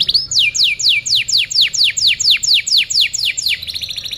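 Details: Canary tutoring song: a clear series of loud descending whistled swoops, about three per second and evenly spaced, closing with a fast faint high trill.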